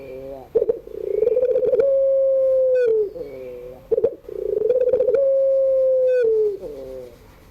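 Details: Barbary dove of the pelung type, crying song in the afternoon: two drawn-out, even coos, each opening with a buzzy stutter, then holding one clear tone before dropping away, with short clicks between them.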